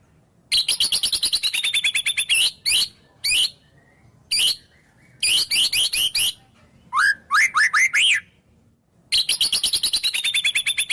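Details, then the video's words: Murai batu, the white-rumped shama, delivering a varied song packed with imitated wild-bird phrases: long rattling trills, sharp clipped notes, a series of rising whistles, and a final rolling trill. "Suara Murai Batu Full Isian Burung Alam"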